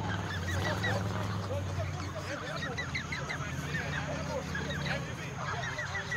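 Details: A large flock of more than a hundred geese at a rural feeding makes rapid clipped honks, many birds calling at once, with a human voice and low hum underneath.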